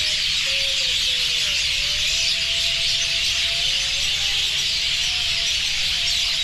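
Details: Large flock of birds at a roost, so many that their droppings have turned the ground below white. A dense, continuous wall of high chirping and twittering fills the whole recording, with faint lower drawn-out tonal sounds running beneath.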